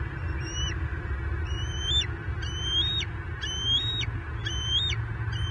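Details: Only eaglet in a Southwest Florida bald eagle nest on 9 May 2023, calling at fish deliveries: shrill whistled notes about once a second, each rising to a held level and breaking off sharply, over low steady rumble.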